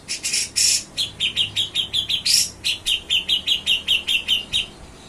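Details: Song of a Grey-cheeked bulbul (cucak jenggot) in nyepik and ngetril styles for tutoring songbirds: a few loud buzzy bursts open a long, fast series of clipped high chirps, roughly three per second, with one harsh burst midway.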